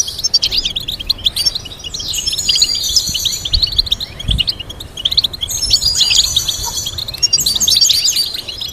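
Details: Kept goldfinch song played to teach singing: lively, high twittering with bursts of buzzy trills and bright chirps, a brief dip in intensity midway, and a faint low knock.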